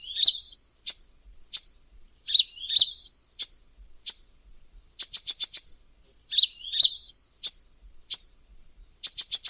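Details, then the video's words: High sunbird lure call from an energetic singer: double chirps with bent, twisting notes alternate with quick runs of four or five sharp ticks. The pattern repeats in loose cycles of about four seconds. "Suara Pikat Burung Kolibri Gacor"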